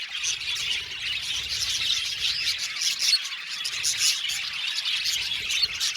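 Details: Budgerigar flock in an aviary: continuous high chirping and scratchy warbling from many birds at once, with occasional clearer whistled tweets standing out.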